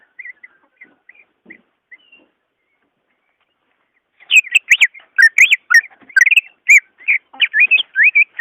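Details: Greater green leafbird sound used to encourage a caged bird to sing: soft scattered short whistles, a silent stretch, then a loud, dense flurry of varied whistled and chattering notes.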